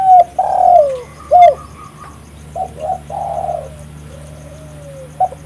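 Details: Spotted dove in full voice, a lure recording for trapping and attracting doves: low hoarse coos, short clipped notes and a long drawn-out descending coo, then softer trailing notes with a faint steady hum behind.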